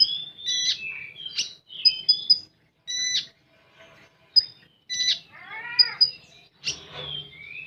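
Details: Common iora delivering 'full tembakan' song, a rapid medley of piercing high whistles, short chirps and a harsh squawk with stacked harmonics, phrases broken by brief pauses.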